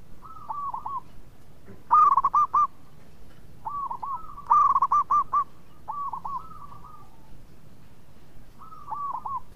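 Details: Local zebra dove in active song, noted for a melodious voice that draws other birds to sing: repeated phrases of looping hooked coos alternate with two loud rapid stuttering bursts, about one phrase every few seconds.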